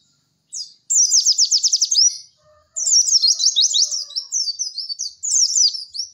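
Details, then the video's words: White-eye (pleci) cek cek werr song for masteran: a fast high trill, a pause, then a longer run of twittering, slurred phrases ending in quick chips. "MASTERAN PLECI TERBARU PALING AMPUH CEK CEK WERR....."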